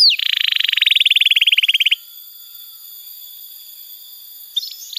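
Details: Canary song played as a prompt (pancingan) to get young or silent canaries singing: a dense, buzzy, fast-pulsed trill lasting about two seconds, then near silence with a faint chirp at the end.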